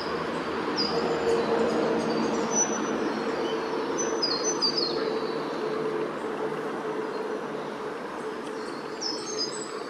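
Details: Spotted Pardalote of subspecies punctatus on the northern New South Wales coast, recorded 9/9/18: thin, high whistled notes, several gliding slightly downward, scattered through the clip over a steady broadband background hiss.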